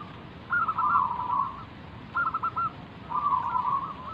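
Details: Zebra dove, a local wild bird, singing as a lure to make other doves respond. Three rippling, trilled coo phrases follow each other, with a short stuttered middle phrase, over faint steady hiss.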